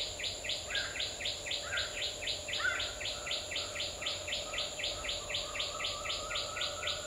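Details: Asian koel calling: a fast, even run of short, sharp, rising notes, about four each second, over a steady insect hum and faint background chirps.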